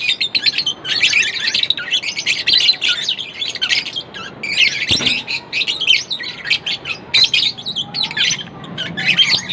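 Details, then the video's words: Non-stop lovebird chirping, rapid high chirps and scratchy twitters pouring out in overlapping bursts, with a faint low hum beneath. "lovebirds chirping sound Non-Stop"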